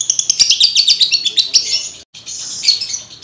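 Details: Male lovebird in breeding mood, recorded to train other males: dense, rapid shrill chattering with sharp ticks, a brief silent break, then a renewed high, rasping chatter.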